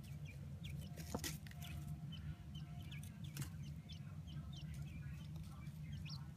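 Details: Adult Chinese blue-breasted quail kept indoors, playing in a sandbox; thin, sharp upslurred chirps repeated about every half second, growing more strident, over a steady low hum of a television and a few clicks.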